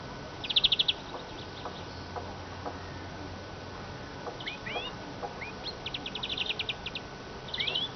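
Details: Eurasian siskin heard at a distance: a short bright trill, soft upslurred chirps, then a longer rattling trill and a rising whistle at the end, over faint background hiss.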